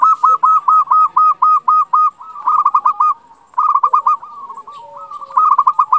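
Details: Local zebra dove giving a lively song meant to raise breeding mood and make rival birds answer quickly: loud rapid staccato cooing notes, about eight in the first two seconds, then further fast bursts after brief pauses.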